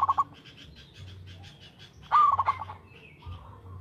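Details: Zebra dove of local stock singing steadily for luring: the end of one trilled phrase, a pause with faint chirps, then a full rising coo that breaks into a bubbling trill, over a low hum.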